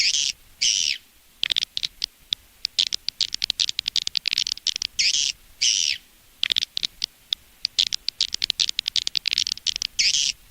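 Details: Lure recording for drawing edible-nest swiftlets to a nest house in Indonesia: repeated short buzzy trills separated by irregular high clicks and twitters throughout.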